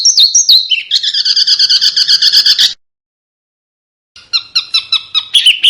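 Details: Small bird song used to train competition birds to mimic: quick high whistles, then a long even series of rich buzzy notes, a silent gap, and a shorter repeated chattering phrase.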